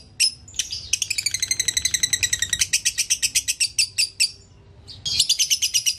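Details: Lovebird konslet chatter for tutoring other lovebirds: a few opening chirps, then a dense burst of shrill pulsed notes, a short pause, and a fresh rapid burst.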